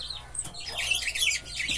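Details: Caged Buffy-fronted seedeater, known locally as batuqueiro or bico de pimenta, singing from a cage placed beside another. A dense, rapid jumble of high chirps and twittering phrases runs continuously, with faint background noise.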